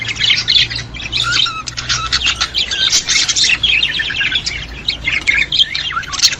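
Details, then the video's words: Busy budgerigar warbling intended to stimulate budgies. A steady stream of scratchy chirps, clicks and short whistles runs without pause, with faint flapping. "اقوي صوت يساعد على تحفيز طيور البادجي"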